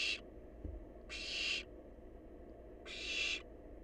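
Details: Harsh wheezing hisses from a wild barn owl nestling feeding on leftovers, three bursts roughly 1.5 seconds apart, with a single low thump early on and a constant faint hum.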